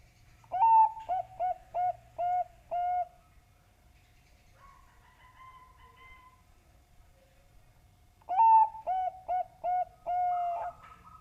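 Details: Bangkok zebra dove lure song for encouraging doves to sing: two full phrases about eight seconds apart, each a rising note, a quick series of short mellow coos and a drawn-out final coo, with a faint softer call between.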